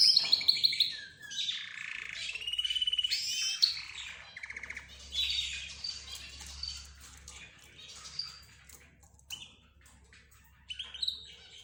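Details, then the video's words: Mixed chorus of pet birds, named as budgerigars, zebra finches and a canary leading them. Busy high chirps, trills and squeaky notes overlap continuously, with louder bursts of twittering, and a low hum underneath. "حديث الطيور"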